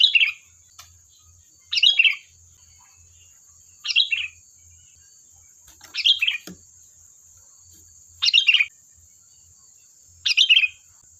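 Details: Energetic sooty-headed bulbul singing as a lure for replies, six short bubbly chirping phrases evenly spaced about every two seconds, each burst quick and slightly descending, over a steady faint high hum.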